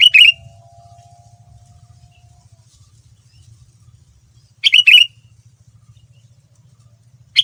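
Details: Lure recording of a sooty-headed bulbul singing, meant to make other bulbuls reply; brief bright chattering phrases separated by about four seconds of quiet, with a faint low hum and a soft steady tone early on.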